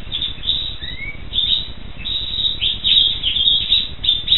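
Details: Black siskin singing a rapid run of high, thin twittering chirps, with a short rising whistled note near the first second and steady chatter after it.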